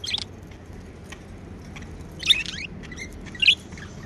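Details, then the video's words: Pet budgie chirps, happy: a few scattered short chirps with two louder warbled bursts near the end, separated by quiet stretches with a soft low hum. "Happy Budgie Sounds | Chirping sounds"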